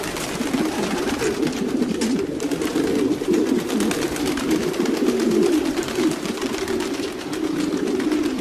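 Domestic pigeons coo continuously in low, throaty, rolling murmurs, several birds overlapping in a dense, steady chorus.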